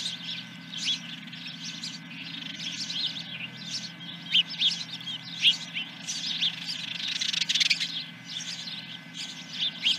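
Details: Osprey at the nest, Dunrovin Ranch, morning of 10 July 2021: busy, thin high chirps running on, with a louder cluster of sharp notes near the middle and a steady low hum beneath.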